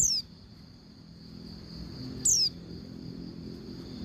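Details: Calling female Oriental white-eye, played to make the male sing and open its beak: a thin falling whistle at the start and another a little over two seconds later, over a continuous high tone.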